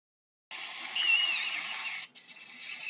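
An owl gives a harsh, hissing screech lasting about one and a half seconds, then a second shorter, fainter rasp after a brief break.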